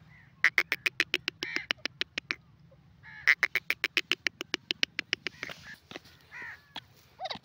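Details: Grey francolin in a jungle: two long rapid series of loud harsh pulsed notes, each run of about a dozen, followed by softer scattered calls over a low steady hum.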